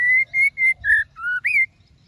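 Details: ['Female white-rumped shama calling to stimulate males to sing, giving six clear, steady whistled notes in quick succession; the later notes dip lower, then the last one rises sharply and falls.']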